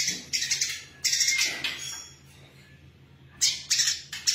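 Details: Female brown-throated sunbird in full voice, uttering spaced bursts of piercing high chirps and rattles, with a quiet gap midway before the notes resume.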